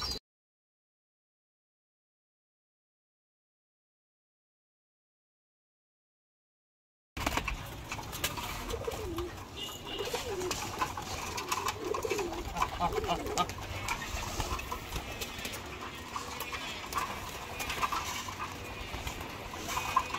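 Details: Pigeons in the morning, hungry and restless after a late feeding, give low, soft cooing calls amid flapping and shuffling as food is given.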